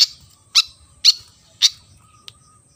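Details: Javan fantail gives four harsh, scratchy high bursts about half a second apart, then a tiny faint note. The background is quiet.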